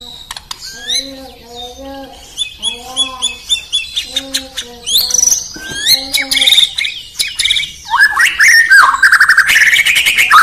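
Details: White-rumped shama (Murai Batu) from Indonesia singing in the morning: low, evenly repeated harmonic notes give way to rapid high chirps, then a loud, dense run of warbled and rising whistles.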